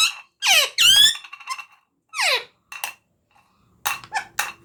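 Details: Pet parrot talking indoors: a few loud squeaky syllables with sweeping harmonics, separated by short gaps and quieter clicks, ending in a cluster of harsh, broadband squawks.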